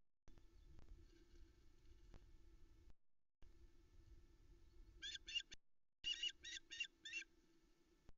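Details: Female osprey on a nest in the Arkaig Community Forest at Loch Arkaig, filmed by nest cam early morning on 13 July 2020, calling for fish after the male delivers a trout to three chicks: short bursts of rapid, high, repeated chirps over a steady low hum.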